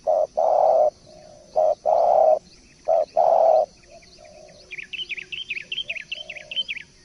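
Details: Spotted dove gives three phrases of low coos, each a short note then a longer one, followed by a rapid high twittering song from a smaller bird.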